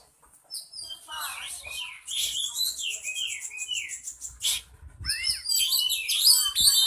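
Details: Oriental magpie-robin (kacer) song used to provoke a caged bird into answering and turning fierce: rich, fast, varied whistled phrases with down-slurred notes and sharp chirps, brief pauses, and high buzzy trills near the end.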